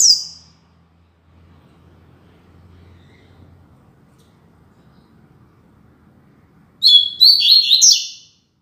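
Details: Double-collared seedeater classic 'Tui Tui Zel Zel' song style used for training young birds: a brief high twittering note at the start, then a bright burst of fast, buzzy, chattering phrases near the end after a quiet stretch.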